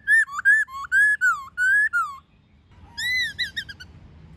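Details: White-cheeked laughingthrush in wild forest-style song with many voices, alongside female calls, used for training captive birds: loud clear whistled phrases, some rising then falling, in quick bursts, a pause, then a higher rapid run of short whistles.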